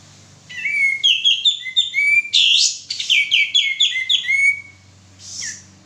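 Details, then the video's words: Male sooty-headed bulbul lure song used to encourage singing: a continuous string of clear whistled and chirped notes with a loud buzzy burst midway, ending with a single soft buzzy call over faint hum. "suara pancingan burung kapas tembak jantan gacor"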